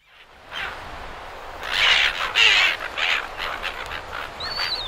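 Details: Several silver gulls at Perth, Australia, give harsh, high, squawking calls in quick overlapping bursts at close range, over a steady wash of surf.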